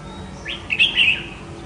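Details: An escaped red-whiskered bulbul that flew home to face a decoy bird, possibly wild-caught, left hind toe seemingly stiff, gives one brief, bright, chattering phrase of high notes under a second against soft hiss.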